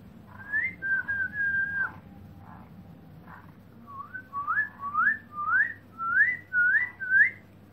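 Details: Black-throated laughingthrush (Garrulax chinensis), recorded 2017, singing clear, fluty whistles: a few level notes, then about seven short upslurred whistles in quick succession over a low background hum.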